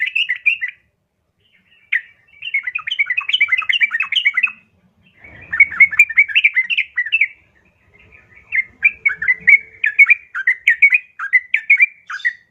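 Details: Yellow-vented bulbul female calling a male, used as a lure for reluctant kept birds: bursts of rapid, bubbly chattering notes in phrases of several seconds, separated by short pauses, with faint low rustling in the background.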